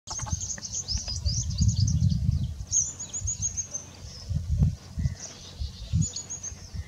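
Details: White-tailed Iora feeding on caterpillars in a Neem tree in India, giving thin, very high chirps in quick runs, then a lone burst near the end, over low rumbling wind and handling thumps.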